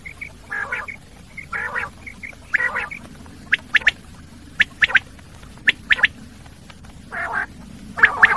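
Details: Common quail giving harsh, nasal burst notes alternating with sharp, clipped double whistles, repeated roughly once a second over a low background hum.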